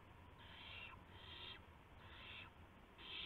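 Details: Owl at dawn on March 26, 2016, near 5:51 AM, with a mouse brought as prey. Four quick, harsh hissing bursts follow each other rapidly over a low hum.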